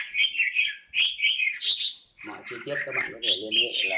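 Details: Caged red-whiskered bulbul sings a few quick, clear warbled phrases that rise and fall, before a man's voice talks over the bird during the second half.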